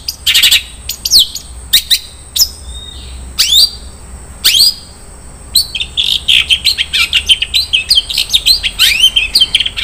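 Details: Long-tailed shrike singing in the 'isian mewah' style, a rich filler of borrowed phrases: sharp high chips and downward-sweeping whistles, a pause, then a fast run of varied squeaky notes and short trills.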